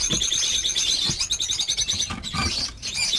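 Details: Captive lovebirds, more than fifty at a breeding farm, keep up continuous high-pitched twittering and squeaky calls, with faint low knocks underneath.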